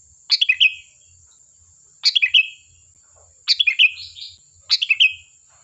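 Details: Chatty sooty-headed bulbul song, meant to lure other birds into replying: four quick gurgling phrases of rapid chirpy notes, each under half a second, repeated about every one and a half seconds, with a constant high-pitched tone in the background.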